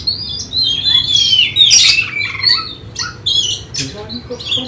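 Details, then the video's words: At home before a songbird contest, an oriental magpie-robin pours out quick whistled trills and buzzy notes, loud at first, then softer scattered phrases, with faint low noise in the background. "Test Mental Kacer Persiapan Lomba Burung Berkicau"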